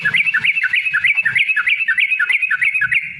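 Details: Yellow-vented bulbul in lively fighting-style song with long rapid 'ropel' runs, used as a lure to provoke other bulbuls into singing: fast bubbly chattering notes bouncing up and down, about three per second, continuous, with faint low rumble underneath.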